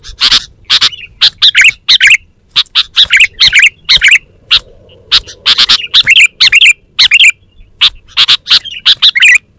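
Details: Sooty-headed bulbul (kutilang), lively 'gacor' calling used to lure wild birds in the forest and to train caged bulbuls; sharp, harsh chirps in quick pairs and clusters, broken by short bubbly warbled phrases, with a faint steady high whine behind.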